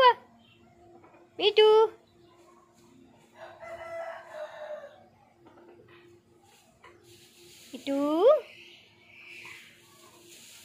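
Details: Pet ring-necked parakeet giving two loud, harmonic, sharply rising screeches near the start and end, with softer chattering in between and a steady low hum behind.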